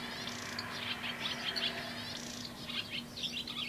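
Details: Male barn swallow, one of the first of spring 2011, perched atop a light pole singing a long serenade: quick twittering warble of high chirps and buzzy notes in two bursts, over a low steady hum.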